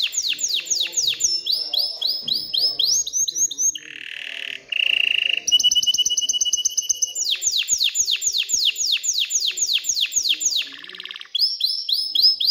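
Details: A canary in breeding mood sings to stimulate females to mate and nest. Rapid falling whistled sweeps alternate with steady nasal tones and chattering trills, and the sweep series returns near the end.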